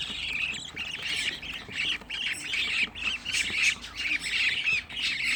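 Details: Budgerigar chicks, sixteen kept together in a home breeding setup, produce a steady run of harsh, squawky chirps repeated several times a second, loud and insistent throughout.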